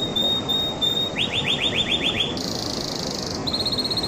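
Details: Canary delivering a thin sustained whistle, then a run of about eight fast downward-slurred chips, followed by a dense buzzing roll and a short high pulsed trill, with faint hiss underneath.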